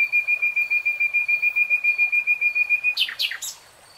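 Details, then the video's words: Common nightingale song: a long rapid series of even, repeated piping notes, ending in a short flourish of sharp, falling, slurred notes. "BEST NIGHTINGALE SONG"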